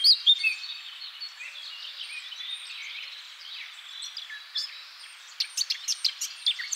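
Eurasian blackcap: a quick, jumbled warble of high, varied notes, ending in a run of sharp, dry ticks about every half second.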